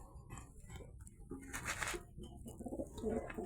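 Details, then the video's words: Domestic pigeons feeding and drinking clean water in front of their keeper, one trying to pair with another, give soft, low, rolling coos among background shuffling and rumble. "কবুতরের ডাকগুলো শুনতে পাচ্ছেন কিনা তাও একটু কমেন্ট করে জানাবেন।"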